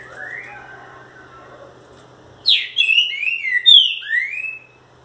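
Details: Green-winged saltator, called trinca-ferro, delivering a forceful special song. Soft slurred whistles come first, then a loud run of four or five ringing whistled notes that swoop down and up before fading.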